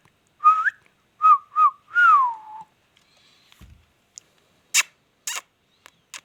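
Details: Indian ringneck parakeet, said to be talking, gives four short tonal whistled phrases. The last is a long falling slur. They are followed by faint clicks and several sharp broadband taps.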